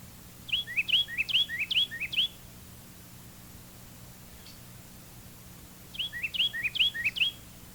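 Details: Carolina wren giving its distinctive three-noted song, a loud, repeated tea kettle: bright whistled three-note phrases in a quick run of about five, a pause, then another run of four, with faint low hum behind.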